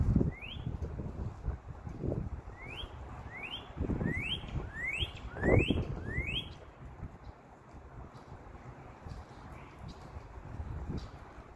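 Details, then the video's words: Northern cardinal in a backyard gives about eight clear, rising whistled notes, one every half-second or so, fading out after six seconds, over low rumbling background noise. "Northern Cardinal Sounds"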